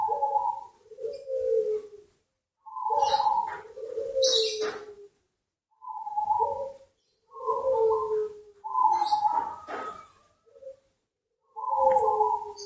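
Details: Zebra dove (perkutut) singing steadily, played as a lure sound: soft, hollow, rolling coo phrases of one to two seconds each, given in seven bursts separated by brief silences, with faint clicks in between.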